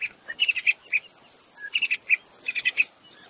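Sharp-tailed tyrant giving quick clusters of high, thin chipping notes, several bursts over a few seconds, over a steady high insect hum.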